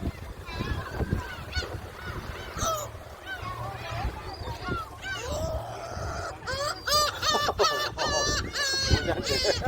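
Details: Many gulls at Jebudo, being fed shrimp crackers, cry in a noisy chorus of high, arching squeals that grows denser and louder toward the end, with people and a low rumble behind.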